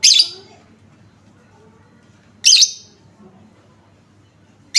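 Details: Lovebird lure call to make other lovebirds answer: three loud, shrill single chirps spaced roughly two and a half seconds apart, with low murmuring noise beneath.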